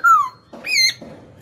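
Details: Cage hwamei giving one clear downslurred whistle followed by harsher, buzzier notes, in a brief snatch of song.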